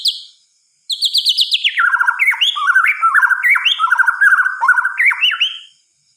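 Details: Night song of a white-rumped shama: a short high note, then a rapid train of bright descending whistles leading into rich, bubbling, warbled phrases that rise and fall continuously for about five seconds before stopping.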